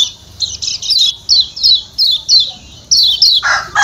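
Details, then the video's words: Lombok white-eye (kecial kuning) calling 'ciak ciak': high, slurred chips repeated several times a second, with a harsher lower squawk at the end. "Ciak Ciak Kecial Kuning"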